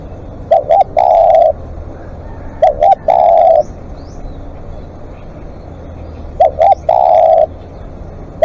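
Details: Spotted dove calling at length as a live decoy bird. Low, hollow coos: two short notes, then a longer drawn-out note. The phrase comes three times, about every three seconds, over a faint rural background.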